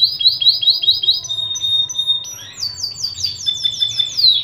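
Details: Panda canary in ornate cengkok song, used to train young canaries and rouse silent ones: rapid series of high, sliding whistled notes repeated in quick rolls, with a sustained tone before a second fast run.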